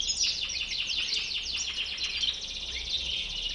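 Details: European goldfinch of the white-bearded (bouc blanc) form singing a dense, slightly smeared stream of high twittering and chattering notes with fast downward sweeps, steady throughout, over a faint low hum.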